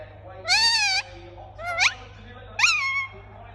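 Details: Indian ringneck parakeet producing three harsh, nasal screeches. The first is long and level, the second climbs sharply upward, and the third rises and then trails off, over a faint steady hum.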